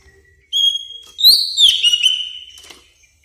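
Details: Greater green leafbird, a recording to lure and train caged birds: a long clear whistle on one pitch, then a loud warbled, rising and falling whistled phrase lasting about two seconds.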